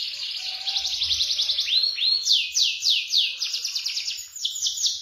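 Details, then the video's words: Canary in full, energetic song of the rolling and high-shooting type used for tutoring: a rapid shimmering trill followed by loud swooping downslurred notes repeated about four times a second. "masteran kenari gacor ngeroll nembak"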